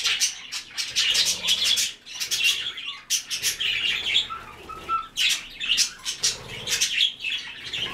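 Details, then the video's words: White-faced cockatiels chirp and squawk in clusters of rapid, scratchy notes lasting about a second each, with quiet gaps between them and a couple of short, pure whistles around five seconds. "Белолицые кореллы"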